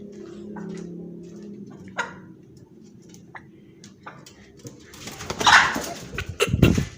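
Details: A scared rooster gives a harsh, duck-like quacking squawk in a few loud bursts near the end, after a man's low voice and scattered clicks; a fright call.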